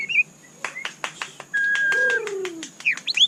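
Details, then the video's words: White-rumped shama giving a mix of sharp clicks, a long steady whistle, a lower gliding note and quick upward-swept whistles at the end. "Dengarkan suara candu Murai Batu ini"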